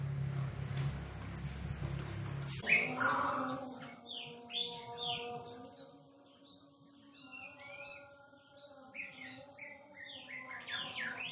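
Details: Aceh white-rumped shama, described as now rare, giving its very melodious song: after a noisy opening, clear whistled phrases and rapid rising and falling notes over steady low tonal background sounds.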